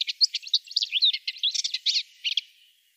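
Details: Brisk song of a Subalpine warbler, a dense scratchy chatter of high, rapidly alternating notes that runs for under three seconds before fading out.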